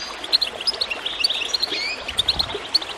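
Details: Goldfinch song meant to stimulate birds to sing, with bright, sharp chirps and short whistled slurs in quick bursts above a soft background of running water.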